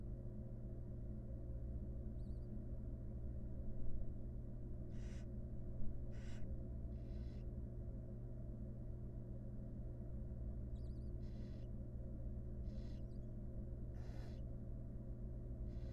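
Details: In a wild barn owl nest box while the mother grooms her chicks: about nine brief, fairly faint hissing bursts scattered across the recording, over a strong low steady hum.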